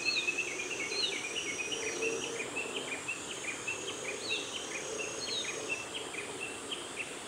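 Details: An Ashy minivet preening in a nature observation garden on 1 August 2020 gives short, high, metallic chirps in quick irregular series over a steady hiss of background noise.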